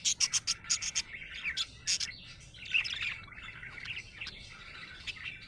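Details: A happy budgerigar opens with a fast series of sharp, high clicking ticks, then slides into a soft, chattering warble of chirps and short whistles.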